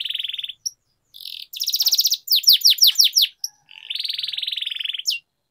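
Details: Canary song for singing training: buzzy trills broken by short gaps, a cluster of steep rising sweeps, then a long even rattle.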